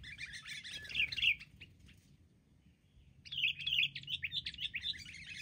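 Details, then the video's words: Wild sooty-headed bulbuls attacking as a group, with loud rippling chatter, then a quiet gap of about two seconds before a second long bout of fast bubbly notes. "burung KUTILANG liar beraninya keroyokan"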